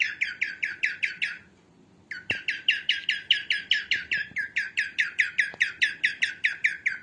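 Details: Female cockatiel, used for training cockatiels: rapid runs of harsh, down-slurred chirps at about five per second, broken once by a short silence before a longer unbroken stretch; faint knocks in the background.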